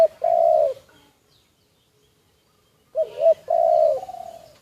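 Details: A decoy spotted dove, recorded secretly, gives two loud mellow coo phrases separated by about two seconds of near silence, the second opening with a quick double note.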